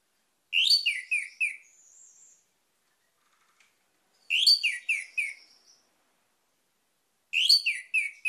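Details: Orange-headed thrush song: one loud phrase of rich slurred notes dropping in pitch, given three times about every three seconds, with a thin high whistle trailing the first two phrases.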